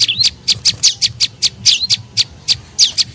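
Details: Spaced, piercing high chirps of a tailorbird used as a lure for birds, roughly three per second, a few with a quick twisting upward flick.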